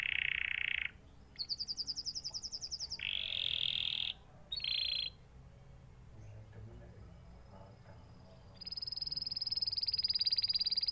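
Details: Canary alternating loud buzzy rolls with high metallic trills, separated by short gaps, then a quieter stretch before a final long bright trill.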